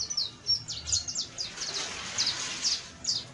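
Saffron finch singing a quick series of high, sharp chirps and short trilled notes, uneven in pace, over a faint steady hum.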